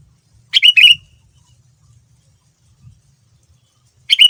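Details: A sooty-headed bulbul sings a quick cluster of sharp, bubbly notes lasting about half a second, repeated after a pause of roughly three seconds; used as a lure so other bulbuls join in; faint low rumbling beneath.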